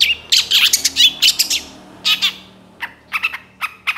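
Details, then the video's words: Young moulting long-tailed shrike delivering a varied, imitation-rich song meant as a lure: clusters of scratchy chirps and short whistles, a brief pause, then spaced sharp squeaky notes. "MASTERAN CENDET MABUNG MUDA GACOR FULL ISIAN"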